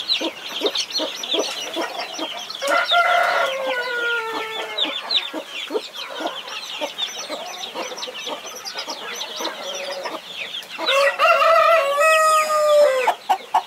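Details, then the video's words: Mother hen guarding her 21 chicks: loud, harsh, harmonic squawks drawn out and falling in two bursts, between steady rapid clucking and a constant chorus of high, thin chick peeps. "Mother hen protecting her 21 Baby chicks"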